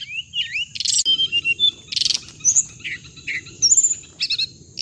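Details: Hồng hạnh bird call meant to lure birds into traps: twisting whistled notes, then harsh rattling bursts and short chirps repeated in quick clusters, with a steady high background tone.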